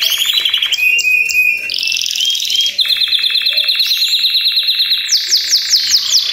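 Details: Group of Belgian canaries in simultaneous song, meant to make other canaries sing; successive high trill tours changing pitch and speed, ending in loud repeated upslurred notes.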